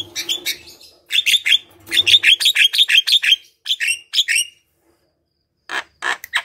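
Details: Javan myna singing vigorously, used as a lure to get silent or lazy mynas to sing, best played in the morning: bursts of rapid harsh chattering notes, about three per second, broken by short pauses and a few scattered clicks.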